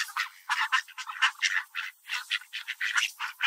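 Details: Hungry Mallard ducks at a park, fed birdseed and fighting over the food, crowding and pecking; rapid overlapping raspy quacks in quick bursts, several per second, with no deep tones.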